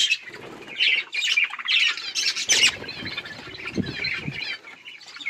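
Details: Budgerigars eating and playing, giving squawky chattering chirps in bursts around the upper mid range, louder calls near one and two and a half seconds, with scratchy low rustles near the end.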